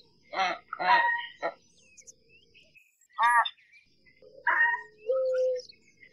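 American White Ibis giving harsh, nasal honks: three rough bursts in quick succession, then two more spaced out, over a thin steady high hum.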